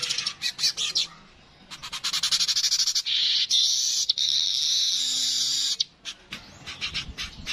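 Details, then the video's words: Streaked weaver, local name manyar kepala kuning, recorded as tutor material for cage birds: scattered chips building into a rapid rattling series, then a long wheezy sizzle, ending in softer ticking notes. "Burung Manyar kepala kuning suara asli"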